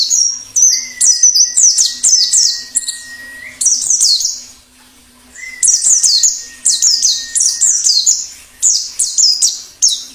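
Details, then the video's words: Wild forest white-eye singing: bursts of high, sharply falling chirps in quick series, broken by a pause midway, with a long steady thin whistled tone running under the first and second bursts. "Suara plengi ngalas"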